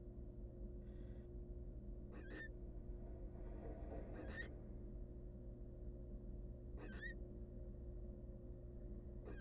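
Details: Begging from hungry wild barn owl nestlings in a research nest box: four scattered, rasping hiss-like screeches with long irregular gaps between them, a faint softer hiss in between, and a steady low hum throughout.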